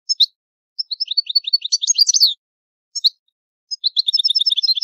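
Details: Traditional old song of the Italian goldfinch, a bright rapid twitter of high tinkling notes with short pauses between phrases and fast repeated chirps at the end, no other sounds present.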